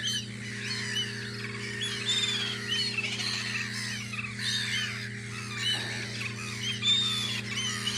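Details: A continuous wash of gull calls at the spring guarding post on Audru polder, countless overlapping curved cries and squawks, accompanied by a persistent low humming drone.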